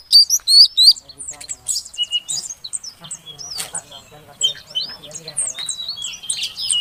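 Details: Calls of a female Oriental magpie-robin meant to coax a non-singing male into song: a few clear rising whistles open, followed by scattered chirps, buzzy notes and faint background rustling.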